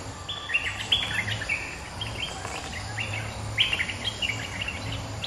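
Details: Bulbul lure recording of a resident bird replying to an intruder: lively chattering, liquid phrases in two main bursts separated by a short pause, over a constant low drone.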